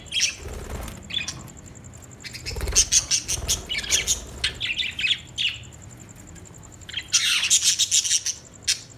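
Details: Budgerigar twittering in fast, rapid chirps and buzzy squeaks, rising into dense chatter in the middle and again near the end, with a faint steady high ticking tone in the background.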